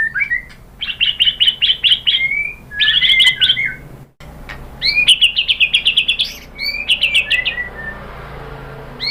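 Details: Provoking song of a white-rumped shama, used to get other shamas answering: bursts of fast, evenly repeated high notes in trilled phrases, separated by short pauses and brief whistles.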